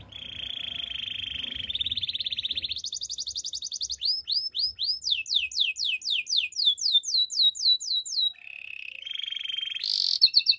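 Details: Belgian canary in morning song: a low buzzy trill rises stepwise into faster, higher rolls, then a long chain of downward-slurred whistles, a brief buzzy roll, and a sharp high burst at the end.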